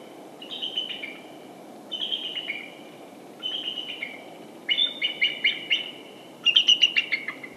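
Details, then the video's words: Bald Eagle in the Great Dismal Swamp, heard but not seen, identified by a listener. It gives five bursts of high, thin chittering notes about every one and a half seconds, growing louder, over a steady low rumble. "The bird that can be heard at the 22:00 Minute mark is a BALD EAGLE."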